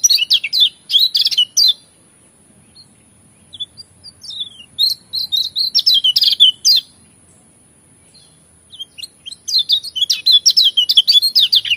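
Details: Lemon-bellied white-eye from Lombok giving rapid, high twittering phrases of about two seconds, three times with short pauses, over a faint steady high whine.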